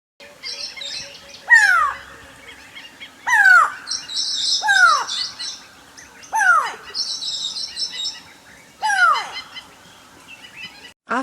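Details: Grey Go-away-bird, an African bird, giving loud, nasal, falling cries about every one and a half seconds, with thin high chirps from smaller birds behind.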